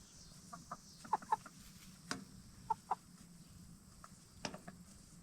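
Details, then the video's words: Black Star and Bielefelder hens settling in for the night inside a movable chicken tractor after free-ranging by day; soft, short clucks come in scattered pairs over a steady low hum. "Relaxing Hen Sounds - Chickens In Chicken Tractor"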